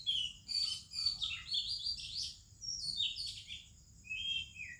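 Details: Melodious morning song of an Oriental magpie-robin in India, other birds around: dense, fast twittering and bright whistled notes tumbling over each other, easing briefly before a final clear descending whistle.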